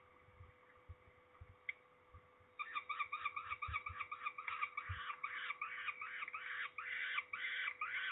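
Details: Peregrine falcons being ringed at Trzebież, Poland, on 13 May 2019: faint calling with knocks and rumbles, then loud, harsh, rapidly repeated calls from the third second onward.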